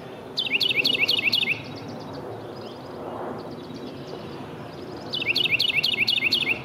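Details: Carolina wren in a yard in Downers Grove, DuPage County, Illinois, dated 040318, sings two loud, ringing bouts, each about five rapid repeated phrases, spaced roughly four seconds apart over a steady low hum.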